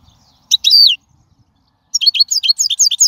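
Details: Wild goldfinch song for tutoring young birds: a twangy downward-sliding phrase, a pause, then a lively string of quick, high, tinkling twitter notes.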